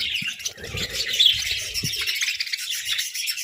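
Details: Parakeets squabbling over food make a quick burst of busy, overlapping chirps and warbled notes, with light low knocks at the start.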